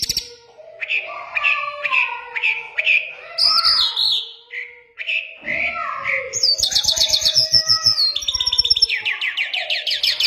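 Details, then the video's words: Mashadi-style Iranian lark song, a varied medley of rising and falling whistled phrases in mid pitch, then sudden high sharp trills and fast rattled notes toward the end. "Mashadi larks lunda jal full Sining"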